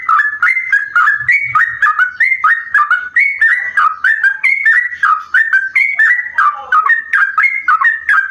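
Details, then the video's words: Sooty-headed bulbul in vigorous song, a long rapid run said to sound like a straw-headed bulbul and used as a lure for other bulbuls; mellow whistled two- and three-note phrases repeat about twice a second, with faint low thumps. "trucuk Gacor rasa Cucak Rowo"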